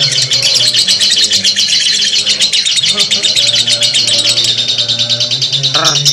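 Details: Lovebird's long ngekek chattering: a rapid, high, buzzy torrent of notes that barely varies, closing with a sharp squeal, over a faint low hum.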